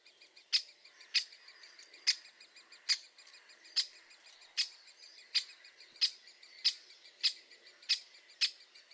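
Great Spotted Woodpecker giving sharp, high, single 'kik' notes, about a dozen in steady succession, roughly one every three-quarters of a second, with no other sounds.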